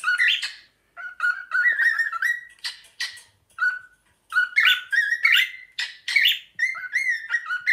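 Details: Two pet cockatiels performing together, whistling the tune of Another One Bites the Dust, excited and running around; melodic whistled phrases interrupted by harsh squawks and chirps.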